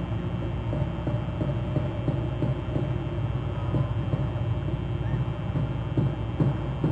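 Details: Low rumbling rail or engine noise with irregular thumps, and no animal calls heard.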